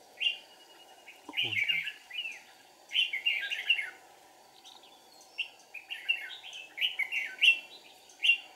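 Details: Decoy red-whiskered bulbul singing during forest trapping, 1 April 2019: lively series of clear warbled, slurred phrases, several rising and falling, repeated in quick succession, one low tapping thud early on, faint steady hum behind.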